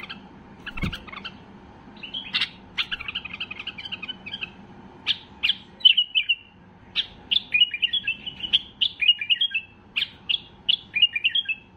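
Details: White-eared bulbul in full excitement, singing to get other bulbuls singing; an early knock, then rapid chirped phrases and repeated whistled notes with downward slurs, coming in quick regular bursts.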